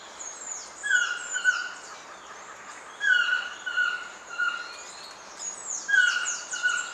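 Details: Song of a Black-mandibled toucan in Pierella Ecological Garden, January to March: nasal, yelping three-part phrases with a clipped first note and drawn-out descending follow-ups, given three times roughly every two to three seconds against a hissing forest background.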